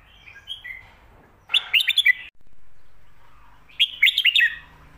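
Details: Red-whiskered bulbul, 'Phat Kuai Tiao' / 'Khayao Khuat' song for teaching birds at home. Two quick phrases of bright, tumbling whistles about two seconds apart, with soft chirps before the first.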